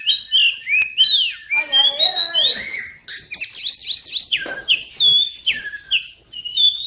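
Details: Song of an oriental magpie-robin, played to make silent birds sing: whistled slurs with a low rasping, harmonic passage in the middle, then high sharp notes and drawn-out clear whistles.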